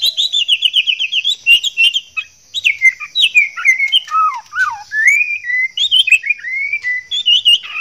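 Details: A breeding-condition male white-rumped shama courts a female with a long, fluid song. It opens with a fast series of repeated chirps, then moves into looping whistled slurs that dip and climb, all over a constant high-pitched hum.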